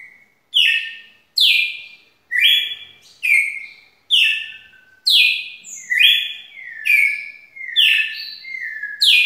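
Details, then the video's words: Red-cowled cardinal giving a long song: loud clear phrases about once a second, each a sharp high downslurred note dropping into a sustained whistled tone, some phrases ending in a lower tail; quiet background. "Galo de campina canto longo"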